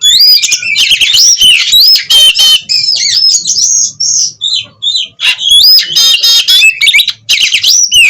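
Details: Breeding-stock Oriental magpie-robin (kacer) in Cirebon, Indonesia, singing the fast 'konslet' style during a wing-flapping, tail-fanning display. Rich whistles and rattling buzzes come in dense runs, briefly easing into softer scattered notes before loud phrases return.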